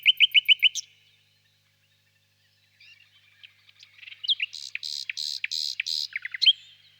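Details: Common nightingale in song: a rapid series of bright repeated notes, a pause of near silence, then scattered soft notes leading into loud buzzy, throbbing phrases and fast descending chirps.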